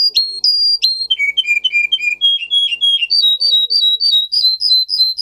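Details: Russian singer canary, a song-bred breed, in a training song meant to teach canaries: high whistled notes, a run of falling-then-level short whistles, then a fast series of bright repeated chirps about four per second.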